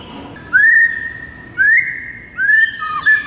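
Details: White-rumped shama in energetic morning song, used to train and lure other birds: long pure whistles that rise then hold steady, three phrases about a second apart, the last breaking into a higher twittering flourish.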